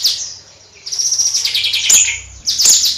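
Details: Bayeman bird pouring out a dense, high, twittering warble of fast jumbled notes that rise and fall, then a brief pause and another burst.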